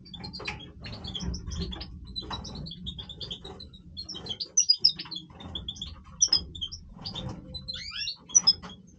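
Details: Major goldfinch breeding song, quieter and more broken: scattered high chirps, thin tinkling notes and short twitters, with brief louder bursts near the end, over a low rumbling background.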